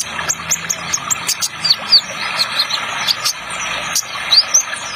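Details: Kolibri Ninja sunbird, trotol style: bright, thin, high chirps and short rising squeaks, about two or three per second, over a soft steady water hiss.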